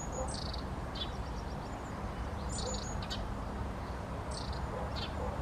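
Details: High, short double-toned calls of a long-tailed tit, given in small bursts about every two seconds with faint thin notes between, over a persistent low background hum.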